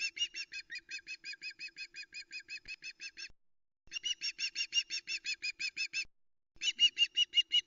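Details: Osprey female lands shouting on the Loch Arkaig nest cam, afternoon of 26 August 2020, awaiting the male with fish: long strings of steady, high whistled calls in three bursts separated by short pauses.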